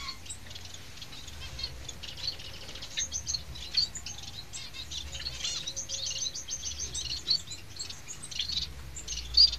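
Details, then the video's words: Society finch chicks (nestlings) keep up a dense, high, buzzy chatter of rapid overlapping cheeps, with louder squeaky notes now and then over a faint low hum. "Piyik emprit jepang"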